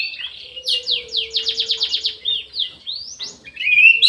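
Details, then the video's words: Orange-headed thrush in an aviary, singing actively: a rapid run of about nine quick, downslurred whistled notes, followed by varied rising slurs and a loud closing warble. A faint low hum sits beneath. "ANIS MERAH GACOR"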